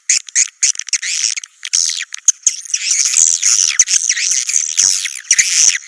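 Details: High swiftlet twittering in irregular bursts: short squeaky phrases early, then a longer, louder run of shrill chirps near the end.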